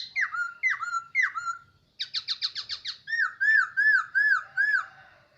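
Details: Captive hwamei kept for about a year, singing loud whistled phrases: three downslurred notes, then a quick run of buzzy stacked notes, then a series of five rising-falling arched whistles, each repeated in a steady rhythm.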